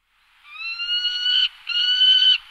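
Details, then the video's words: A Peregrine falcon (Falco peregrinus) gives two drawn-out, harsh wailing notes, the first about a second long, the second shorter, steady in pitch and rasping. "Falco peregrinus / Peregrine falcon"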